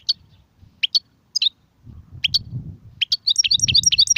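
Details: European goldfinch song in the Maghreb styles called sarfati, guezrati and tsersir: scattered high tinkling notes, then a dense run of quick twittering, liquid phrases toward the end, over a low rumbling background hum.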